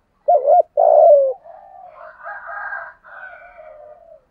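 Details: Lure spotted dove, 'giọng thổ' style, used to bring wild doves in: a wobbling double coo, a long lowering coo, then a run of softer, raspy drawn-out notes.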